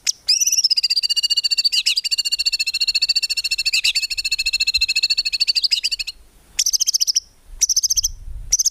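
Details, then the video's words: Gacor white-rumped shama song for training songbirds, full of tembakan without ngukluk: a long, very fast buzzy rattle lasting about six seconds, followed by three short high trilled bursts. "MURAI BATU GACOR FULL ISIAN TEMBAKAN MEWAH GAK ADA NGUKLUK NYA"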